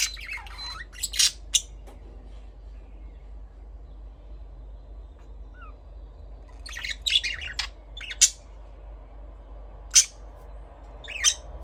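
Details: Budgerigar giving scattered, sharp chirps and short scratchy bursts, separated by pauses of one to three seconds, with a few small upward whistled notes between them, over a faint steady hum.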